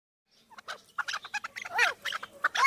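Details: Chukar partridge raised at home, play-fighting with a person's hands; a burst of short, clucking and chattering notes in quick irregular succession, some with a brief curved, whining tone.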